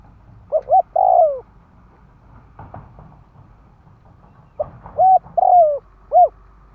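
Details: Decoy spotted dove calling to attract wild birds. It gives two cooing phrases, each of short hoots and a long descending note, separated by a pause with faint knocks and low background rumble.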